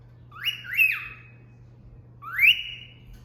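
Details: Female pet cockatiel performing a cat-call whistle its owner taught it: a pair of quick, clear upward-sliding whistled notes, a pause of over a second, then one longer rising whistle, over a faint steady low indoor hum.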